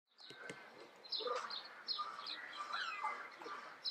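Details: A female Derbyan parakeet gives a rapid, varied run of harsh, nasal squawks and chattering notes, overlapping almost continuously for four seconds.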